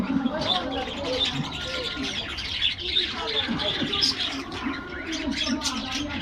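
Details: Budgerigars in an aviary in the morning, excited while getting a diet treat: dense high chirping and warbled chatter from many birds, with lower cooing-like tones and background noise throughout.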